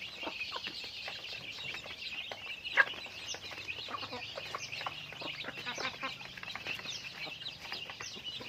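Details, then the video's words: A flock of chickens in daily activity, keeping up a steady busy chatter of high notes and brief clucks, with one sharper loud note about a third of the way through. "Natural Sounds of Chickens | Daily Activity with Chickens"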